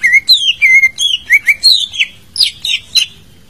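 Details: Greater green leafbird song played as a lure to prompt a silent bird to sing: varied clear whistled notes, some sliding down and some rising, given in quick succession, roughly three a second, with a faint low hum beneath.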